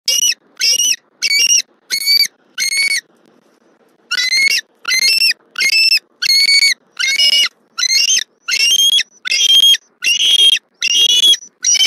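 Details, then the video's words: Female bald eagle at a nest in Southwest Florida on 23 November 2024, calling loudly as her mate delivers a fish. Shrill, harmonic squealing notes come in steady bursts about every 0.6 seconds, with one short pause, then continue. "M15 delivers a fish to the nest for F23, she vocalizes loudly"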